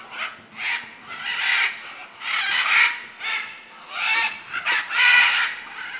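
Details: A series of loud, hoarse macaw screeches in Manu, Peru, some long and some clipped, coming in irregular bursts over a persistent high insect hum.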